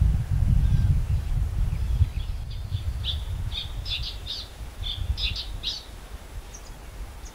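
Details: Blue-tailed bee-eater at the Bued River in La Union, Philippines, recorded November 14, 2021 with a shotgun microphone; a quick run of sharp trilled chirps, clustered in twos and threes, over heavy low rumble that fades.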